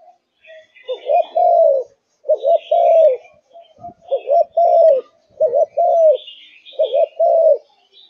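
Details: Spotted dove of Malaysian stock in top condition, cooing repeatedly in a cage: soft double notes run into sustained falling coos, about six phrases, with faint chirps from other small birds behind.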